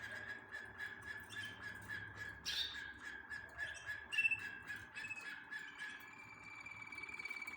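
A Waterslager canary sings in low rolling tours, with repeated pulsing notes and a sustained tone, broken by a couple of sharper bright notes.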